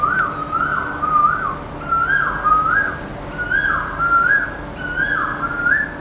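Asian koel calling with loud, clear whistled notes that swoop up and down, phrases repeated about every second and a half over a faint steady hum.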